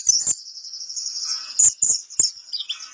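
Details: Steady, very high reeling trill from a pleci kapur white-eye, punctuated by a few loud piercing chirps and faint lower twitters.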